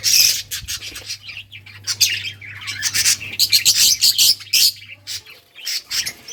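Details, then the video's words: Budgies chirping while playing, recorded June 17, 2023: a busy, overlapping stream of sharp, high chirps and squawky bursts from several birds, with a steady low hum underneath for most of the recording. "Budgies playing and chirping"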